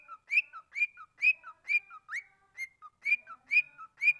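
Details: Pet cockatiel singing, recorded 22 December 2012: a clear whistled two-note phrase, a short lower note then a louder, higher, slightly rising note, repeated about twice a second, nine times in quick succession, with no other sounds.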